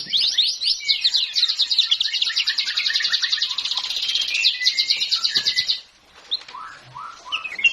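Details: Magpie-robin delivering a fast, rich run of rapid trills and twittering notes for about six seconds, then a short pause followed by a few scattered downslurred whistles.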